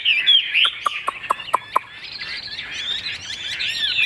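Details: A caged Chinese hwamei gives a few bright whistles, then six or seven sharp, dry clicks spaced roughly a quarter second apart, followed by softer, rambling warbled song.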